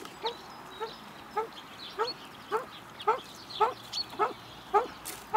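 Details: A wild common pheasant in the mating season, at a garden bird feeder in Recke, Germany, on 24 March 2021, gives about ten short, nasal clucking notes spaced about every half second over faint background noise.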